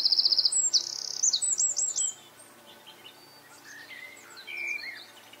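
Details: Eurasian wren song opening with a loud, fast high trill of identical notes, then a string of sweeping whistled phrases, fading into softer scattered chirps in the second half.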